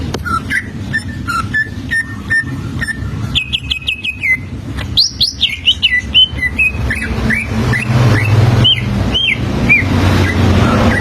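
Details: Greater green leafbird giving its standard song, used as a lure to teach other leafbirds to sing: clear whistled notes and rapid trills, then high rising and falling slurred phrases in varied succession, with low background hum.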